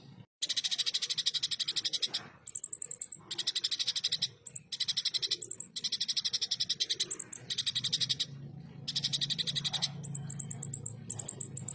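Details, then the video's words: Ruby-cheeked sunbird, known locally as konin, singing coarse 'full tembakan' phrases: long rasping rapid trills about a second each, separated by brief pauses and thin high chips. "MASTERAN FULL TEMBAKAN KASAR, SUARA JERNIH BURUNG KONIN ASLI"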